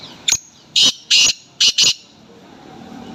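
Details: Sindhi teetar (black francolin) kept for matches, calling in harsh scratchy bursts: one short note followed by four loud rasping notes in quick succession, over a steady background hiss.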